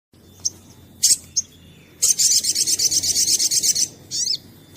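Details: Sunbird song used as a lure to draw other birds into singing: a high buzzy rapid trill of about a dozen evenly spaced notes lasting two seconds, preceded by short sharp chirps and followed by a brief twittering phrase.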